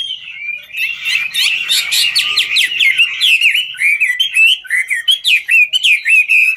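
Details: Chinese hwamei singing and dancing at once, a ngũ trường style singer; continuous loud song of rising and falling whistles mixed with quick clipped notes and short rattling bursts.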